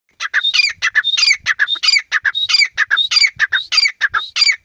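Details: Partridge calling loudly: harsh, scratchy notes repeated rapidly and continuously, with about twenty bursts packed in under five seconds and squeaky rising tones mixed in. The background is otherwise quiet.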